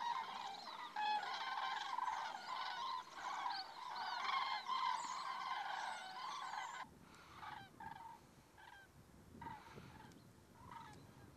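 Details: Common cranes resting in autumn at the Rehden Geestmoor, Diepholz moor lowland, Germany, 5 October 2016. Loud, rolling trumpeting from many birds overlaps continuously for seven seconds, then thins to scattered separate calls.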